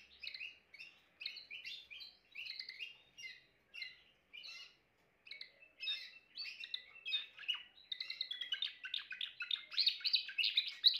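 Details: Timbrado canary singing a long varied song of rapid chirped syllables and trills, short pauses near the middle, building into a dense fast rattling passage at the end; no other sounds.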